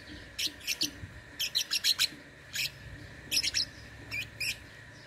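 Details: Contest lovebird from Singkawang, West Kalimantan, in an online singing competition: grouped bursts of crisp high chirps, runs of three to five notes in quick succession, above a low hum.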